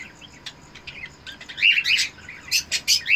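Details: Eno cockatiel breeder pair calling while mating: a few faint chirps, then loud, sharp chirps and short whistled notes that crowd together in the second half, repeating quickly in bright bursts.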